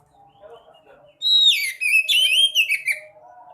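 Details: Sekoci (white-breasted woodswallow) song used to prompt caged birds to sing: a burst of bright twittering with sliding whistled notes that drop and rise, packed into about two seconds, over faint lower warbling tones.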